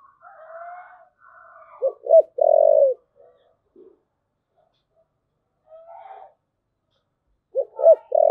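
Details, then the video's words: Spotted dove cooing in the 'thúc gù' manner: a full phrase of two clipped notes and a long, low, steady coo. Soft higher twitters come before it, and a second phrase begins at the close. "cu gáy thúc gù"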